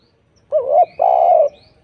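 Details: Spotted dove lure song meant to draw replies from other doves: a quick rising-and-falling coo, then a sustained soft hooting note, with near silence around it.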